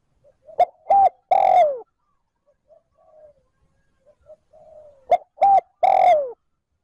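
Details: Spotted dove cooing in 'trơn ròng' style to stimulate wild doves: two loud phrases of two brief notes and a long falling coo, with softer low coos heard faintly in the pause.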